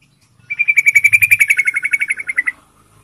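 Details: Yellow-vented bulbul (Pycnonotus goiavier) song, a fast, even run of about twenty bright chirps over two seconds, steady in pitch and dropping slightly at the end; a lure to prompt other bulbuls to sing.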